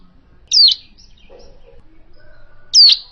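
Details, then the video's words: Hill prinia, an original call used as a lure for bird trapping: two loud, sharply downslurred whistled notes, high then dropping, about two seconds apart, over a quiet background. "Suara Asli Ciblek gunung untuk pikat"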